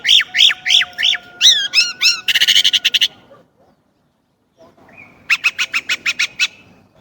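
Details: Song of a Chinese blackbird: a series of repeated slurred chirps and rattling bursts, a pause, then a short whistle leading into a quick run of clipped notes.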